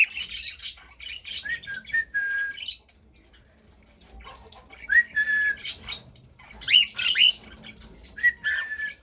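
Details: Pet cockatiel song of flat and rising whistles with scratchy chirps, in two bursts separated by a quiet stretch.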